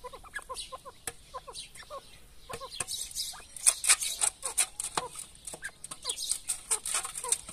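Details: Mother grey partridge with feeding chicks: rapid paired clucking notes early on, then scattered chirps among loud clicks and high hissing bursts.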